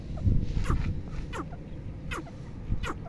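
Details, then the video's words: Female teetar, or red partridge, calling: four quick downslurred notes spaced roughly every 0.7 seconds, set against heavy low-pitched background rumble. "Teetar Ki awaaz"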